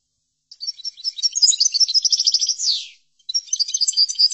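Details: Goldfinch tutor song in the chordonier manner: a dense stream of bright, high twittering notes and short trills, a long falling buzzy slur, a brief gap, then more rapid tinkling phrases.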